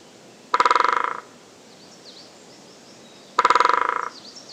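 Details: Great spotted woodpecker drumming on a tree on an early spring morning, likely to attract a mate or mark territory: two short, rapid drumrolls about three seconds apart, each fading at the end, with faint bird calls behind.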